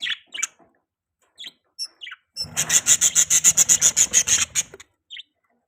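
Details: Budgerigar in mating season: a few isolated chirps, then a fast rasping run of about a dozen buzzy pulses lasting two seconds, followed by another lone chirp.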